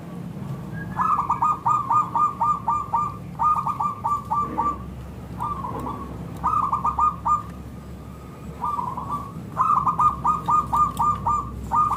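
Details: Zebra dove of local stock singing a lure song meant to make other zebra doves answer: several bursts of quick, rolling, hooked coo notes, each burst a few seconds long, separated by short gaps over a low background hum.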